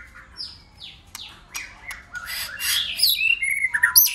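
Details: White-rumped shama in a singing contest, switching voices: descending whistled slurs and clicks at first, building into louder harsh, buzzy phrases and high whistles at the end.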